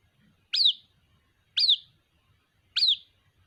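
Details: Three high, thin, downslurred peeps spaced about a second apart from a white-breasted waterhen chick calling its mother in quiet surroundings.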